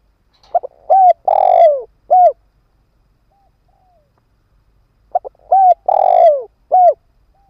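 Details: Caged decoy spotted dove kept on the ground, cooing to lure wild doves: two cooing phrases, each a short note, a clipped coo, a long drawn falling coo and a final short coo, separated by about three seconds of quiet.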